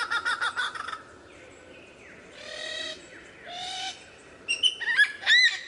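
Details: Lyrebird in varied song: a quick train of pulsed, harmonic notes, two sustained buzzy, rasping sounds with low hums beneath, then sharp, bending whistles and chirps.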